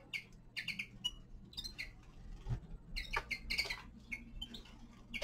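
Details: Winter song of a young male common linnet: rapid, varied twitter of sharp chirps and brief whistled notes, delivered in loose clusters with short pauses, with a faint constant hum underneath.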